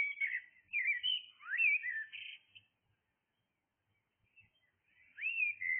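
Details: Blackbird at dawn delivering a flowing phrase of looping whistled notes, including a swooping upward slur, then a long quiet gap before a fresh rising whistled phrase begins.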